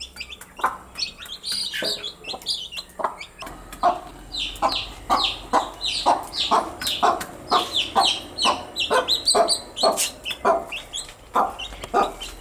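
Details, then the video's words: Several baby chickens during their daily activities, giving a dense, continuous stream of short, high, rising-and-falling peeps, many overlapping, with sharp broadband clicks and taps scattered throughout. "Cute Baby Chicks with chirping sound"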